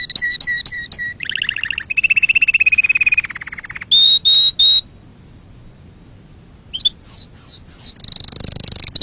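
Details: Canary song aimed at teaching young birds and at breeding. Repeated short whistled notes and buzzy rolling tours are followed by three pure whistles, a silent gap, then sweeping notes and a dense high buzz.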